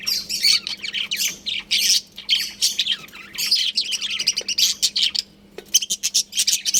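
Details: Busy chatter from a budgie colony: continuous high, scratchy warbles and quick chirps piling over one another, a short lull near five seconds, then sharp clipped notes resume over a faint constant hum.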